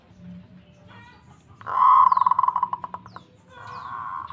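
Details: Local zebra dove answering another zebra dove right away: after soft faint notes, a loud burst at mid-pitch breaks into a quick stuttering run of pulsed coos, then a steady rolling purr to the end.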